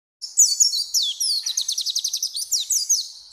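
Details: Several pleci (white-eyes) heard together; a high, bright twittering song of rapid chirps, then a fast run of evenly repeated sharp notes, about five per second, with a quiet background.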